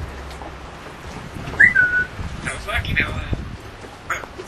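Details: An 8-year-old female African grey parrot living on a sailboat gives a short rising whistle, then garbled speech-like phrases, over steady wind and boat rumble.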